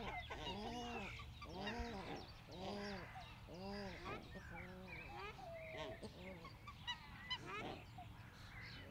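Australian shelduck giving a series of nasal, goose-like honks about once a second. Each honk arches up and falls back. Other waterfowl call in the background.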